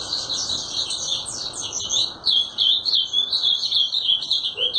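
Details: Ultramarine grosbeak (azulão) singing a continuous, rapid warbled stream of high chirping notes, with quick rising and falling slurs and no pauses throughout.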